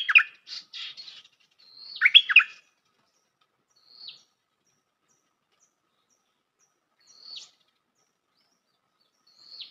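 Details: Lure recording of a bulbul, called merbah lekir locally, for trapping birds: two brisk chattering phrases at the start, then three thin, short whistled notes spaced several seconds apart, with a quiet background.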